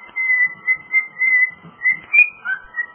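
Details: Male cockatiel kept as a pet, whistling Jingle Bells: a regular string of bright, sustained whistled notes at one pitch, stepping up to a higher note and dropping back for the final phrases.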